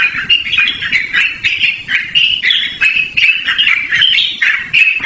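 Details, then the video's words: Yellow-vented bulbul singing continuously and loudly, used for luring or training birds: dense, bubbly chattering phrases of quick warbled notes, rising and falling without pause, several voices seeming to overlap. "BURUNG TRUCUKAN GACORR NGEROL DURASI PANJANG"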